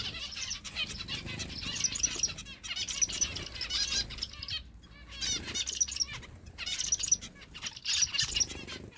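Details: Zebra finch chicks beg while a parent does a mock feeding, giving a dense, harsh, high-pitched chatter of begging calls in pulsing bursts, with bright chirps and the flutter of wings.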